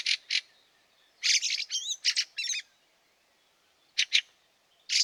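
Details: In March snow at Liepāja, Latvia, a Fieldfare chatters with harsh grating notes mixed with a few squeaky, wavering tones, then short paired chacks after a pause.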